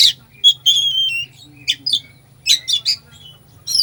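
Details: Oriental magpie-robin singing a song full of fillers, used to stir a sluggish bird into singing: bright whistled notes that slide downward, mixed with short harsh buzzy bursts in uneven phrases, over a steady low hum.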